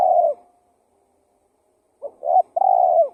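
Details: Lure call of a spotted dove: the tail of one falling coo, a pause, then a fresh phrase of a brief note, a steady hollow coo and a long rolling coo.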